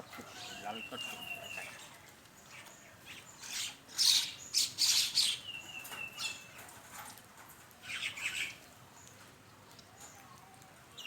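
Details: At a morning feed in Bangladesh, common mynas give a low, even chatter broken by loud harsh squawking bursts and a few drawn-out whistled notes, plus some wing flapping.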